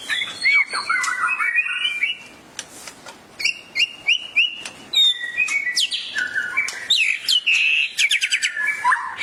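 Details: White-rumped shama in energetic song after hearing a tutor recording; a long, varied medley of whistles, stuttering repeated notes, swooping slides and fast rattling trills, delivered almost without pause.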